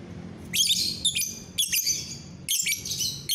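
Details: Lovebird gacoran chatter on a clear morning, recorded 30 November 2021: three dense buzzy bursts of high twittering with quick rising squeaks, short gaps between, a low hum underneath.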